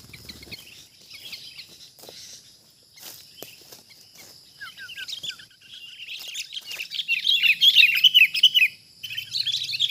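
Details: Wild sooty-headed bulbul (kutilang) confronting a decoy bird while being trapped: soft scattered notes and clicks at first, then increasingly loud, rapid, excited chattering chirps in the latter half.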